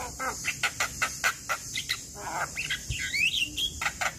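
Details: Male Javan myna lure song, meant to coax quiet or moulting mynas into singing: a quick series of harsh, clicky notes about four per second, ending in rising and falling whistled phrases over a steady high hiss.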